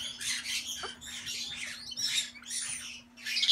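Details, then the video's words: A captive pair of lutino Galahs. Harsh, grating screeches run back to back in broad noisy bursts, about one every second, over a steady low electrical hum indoors. "モモイロインコ ルチノーSP ペア"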